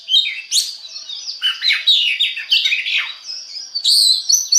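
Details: Oriental magpie-robin (kacer) lure song to start other birds singing: quick scratchy chatter mixed with clear whistles and squawk-like notes, finishing with a high drawn-out whistle.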